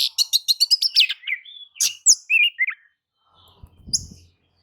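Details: Oriental magpie-robin in vigorous lure song to get other birds singing: a rapid string of about ten sharp repeated notes, then sweeping slurred whistles and short warbles, ending with a faint low thump and one high note.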